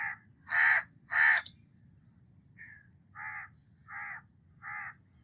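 House crow giving harsh, nasal caws: two loud ones close together, then four softer, shorter caws spaced under a second apart over a low background rumble.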